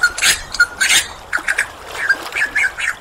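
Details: Superb lyrebird, a mimic, giving a quick jumble of short chirps, harsh bursts and small whistled notes in irregular sequence.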